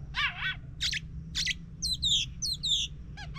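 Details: Oriental magpie-robin (kacer) song played as a lure to prompt a silent bird to sing: harsh, broad rasping notes mixed with sharp whistled slurs, some sliding downward in quick pairs, over a low steady hum.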